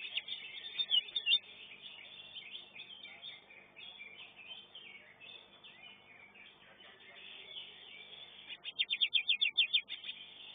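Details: Greater green leafbird competing in a bird-singing contest. A short burst of clipped notes opens the stretch. After a long spell of dense chattering from many birds, a loud run of about ten quick, high repeated notes follows.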